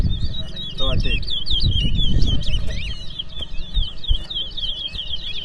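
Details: Competing towa towa (twa-twa finch) in a Berbice song race; dense, rapid twittering and slurred whistles pour out nonstop, with brief voices, a clatter and low background noise.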